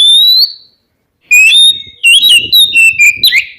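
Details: Two Oriental magpie-robins singing as a lure to provoke rival birds into answering. A long rising whistle, a pause, then a rapid run of clear, sweet whistled notes that jump up and down.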